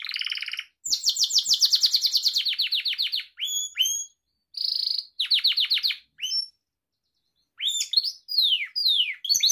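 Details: Gloster canary song used to train young canaries: rapid rolling trills of high pulsed notes, broken by short whistled upslurs and bright chirps, all crisp with no background noise.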